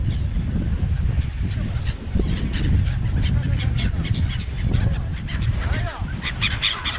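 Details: Many seagulls gathered at Songdo in Busan call together: nasal, honking squeals rise and fall in quick overlapping bursts, one curved cry standing out late, above a heavy low rumble of wind and background noise.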